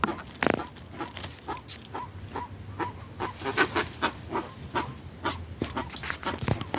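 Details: Jacu guan calling in the sertão: a steady series of brief yelping notes, several per second, among loud rustling and knocking noises.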